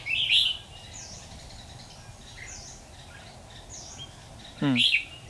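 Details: Red-whiskered bulbuls singing in competition at a trapping site, 13 October 2019. A bright, slurred chirping phrase opens, then quieter high twitters follow. A second sharp warbled burst with a descending buzzy tail closes it. Outdoor background hum throughout.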